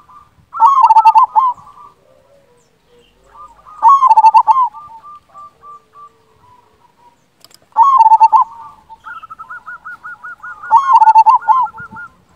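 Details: Local zebra dove singing steadily with a strong voice: four loud stuttering coo phrases roughly every three and a half seconds, with gentler repeated coos between them.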